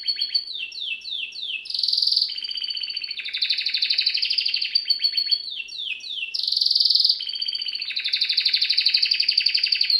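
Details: Canary in full song, alternating rapid rolling trills with buzzy rattling phrases and bright sweeping notes, loud and continuous throughout, with no other sounds.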